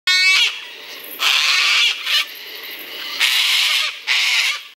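A cockatiel gives a brief harmonic squawk, then a run of harsh, breathy hissing bursts.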